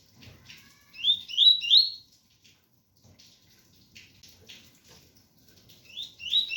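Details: Tui-tui pure song of a double-collared seedeater with rain in the background: three quick rising whistled slurs, a pause full of soft patter, then another rising phrase begins at the end.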